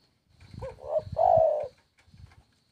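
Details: Spotted dove coo sequence, with a looping short note, a rising coo and a long sustained hoot. Low thudding knocks sound beneath and after the call.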